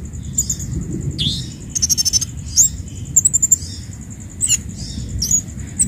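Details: Song of the orange-headed thrush, used as a tutor for captive birds: sweet whistled notes, a downslurred phrase and a rapid rattling burst, over a constant high tone and low background hum.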